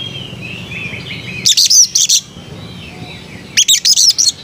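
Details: Oriental magpie-robin giving melodious song: two bursts of four or five rapid, scratchy high chattering notes, about two seconds apart, with faint soft warbling between.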